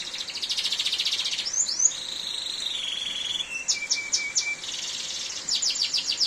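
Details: Canary singing in heavy rain: a loud rolling buzzy trill, a couple of rising sweeps, a long flat whistle that drops to a lower held tone, then bursts of rapid pulsed notes, over steady rain noise.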